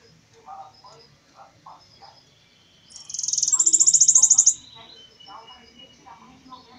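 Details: Bananaquit giving an unusual, different song: a single shrill, buzzy trill of rapid pulses, about one and a half seconds long and slightly rising, with soft chattering voices and low clutter in the background.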